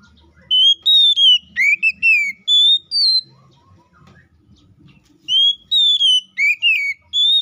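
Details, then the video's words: White-rumped shama (kacer) in loud ngeplong song meant to provoke a rival into singing: clear whistled notes, some flat, some swooping down then up, delivered in two groups with soft low background rumble. "KACER GACOR NGEPLONG❗MEMANGIL LAWAN PALING AMPUH BUAT PANCINGAN KACER BIAR CEPET GACOR!"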